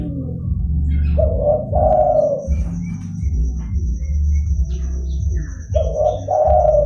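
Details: Lively zebra dove calling, used to lure and trap wild doves: two loud throaty cooing phrases, each a short note then a longer rolling one, about four seconds apart, over a low constant rumble with faint high whistles from other birds.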